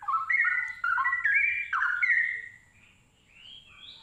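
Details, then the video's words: A straw-headed bulbul pours out a loud, rich warble of fluty notes stepping up and down for about two seconds, then trails off in softer rising whistles. "Burung cucak Rowo sepesial. (spesial bird sounds)"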